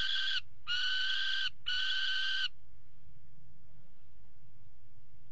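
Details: Peregrine falcon on a water tower nest ledge during mating, 5 February 2018: three loud, rasping, buzzy calls close together in the opening seconds, then only a low rumbling background.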